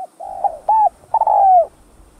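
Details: Spotted dove giving the full 'thúc gù' cooing style, used to stimulate other males: a soft low coo, then a short mellow note and a longer coo that slides gently downward, in a quiet setting.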